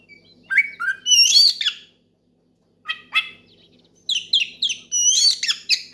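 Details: Oriental magpie-robin in loud song challenging a rival and spurring other magpie-robins to sing: a quick phrase of whistled and slurred notes, a pause, two short chirps, then a lively series of varied rising whistles.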